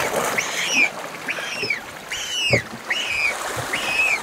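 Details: Galápagos penguin fledgling begging while being fed by its parent. It gives loud, nasal, downward-arching squealed calls, about one every second. Soft splashes and water sounds are heard underneath.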